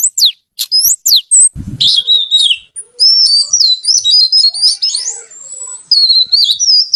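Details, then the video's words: Kacer (oriental magpie-robin) in lively, melodious song. Quick downward whistles give way to a continuous, varied warble of trills, high thin whistles and chatter. A brief low thump occurs near the second mark. "Suara Kicau Kacer Gacor Merdu"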